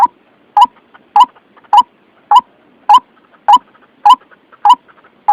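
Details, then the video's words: White-breasted waterhen call used as a trapping lure: an evenly spaced series of ten short, harsh, mid-pitched notes, each with a small upward inflection, about one every 0.6 seconds, with faint chatter in the gaps. "Suara pikat ruak ruak paling jitu"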